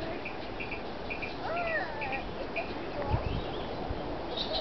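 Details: Possible blackbird calling in a marsh beside the path between Floris Lake, Oregon, and the Pacific Ocean: short repeated chips about twice a second, with a few slurred whistled notes and steady background rush.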